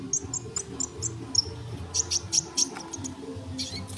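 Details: Sunbird song used as a tutor recording for training songbirds: short, high, thin chirps in quick clusters, some sharply accented notes, over a low background rumble.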